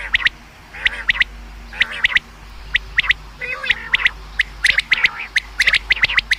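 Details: Common quail calling, a sound for hunting: clipped notes in fast groups of two or three, given in a steady series with brief gaps, quickening toward the end.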